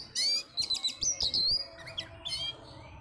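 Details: Orange-headed thrush kept as a pet, heard just before a bird-singing contest: loud, clear whistled phrases that rise and waver, mixed with quick high twittering notes, in a short lively burst.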